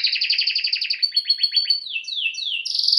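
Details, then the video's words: A training canary (Serinus canaria) sings a fast, rolling trill of about ten notes per half second, then shifts into sweeping down-slurred whistles and a bright high buzz. "Canary singing"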